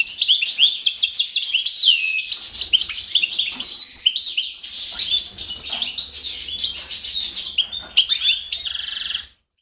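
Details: Song of a European goldfinch from 5 June 2011: an almost unbroken stream of rapid, liquid twittering, with high slurred notes and chirps tumbling over one another, ending in a short buzzy trill before going silent.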